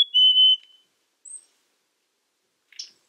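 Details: Black-capped chickadee singing one clear whistled two-note phrase, a higher note sliding into a slightly lower held note, then a brief high chip and a short buzzy note in near silence.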